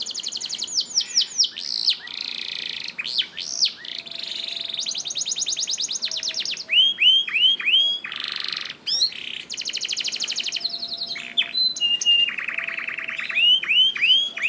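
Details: A long varied canary song used to stimulate reluctant canaries, mixing rapid trills, flat buzzes, rolling rattles and repeated upward-curving whistles, with phrases changing every second or two.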